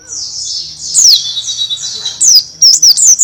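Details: Buxton's white-eye singing in canary-imitating bursts (tembakan kenari style): high, rapid chattering phrases with sharp descending whistled notes. A faint low hum sits underneath.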